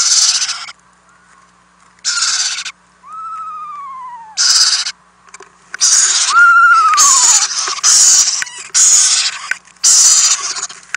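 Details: Owlets fed overnight in a nest house, 4-10-2018, nest camera: rough hissing screeches repeated in quick bursts, plus two clear downward-slurred whistled notes early on, the hisses crowding together toward the end.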